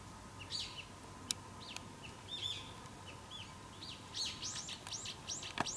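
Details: Brown-eared bulbul calling loudly and clamorously, giving shrill, arching squeals in several quick bursts over a steady faint hum.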